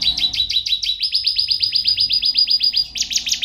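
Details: A prize canary sings a steady, rapid trill of repeated high down-sweeping notes, about eight per second, and jumps to a higher, brighter trill near the end. Offered as tutor song for birds at home.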